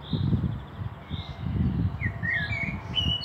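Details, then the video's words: Common blackbird singing in Meschede, Germany, 18 May 2021, a fieldfare pair also present; a short mellow fluted phrase sliding up and down, ending in higher squeaky notes, above steady low rumbling noise. "Sehr schöne singende Amsel"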